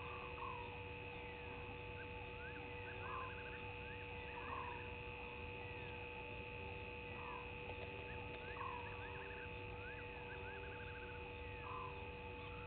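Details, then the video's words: Barred owlet calling at night, 02:40 on 03/20/19, at Gowrie dam waterhole on Djuma Game Reserve, Sabi Sand Wildtuin, South Africa. Short trilled phrases repeat about every one and a half seconds over a steady electrical hum. "Djuma: Barred Owlet"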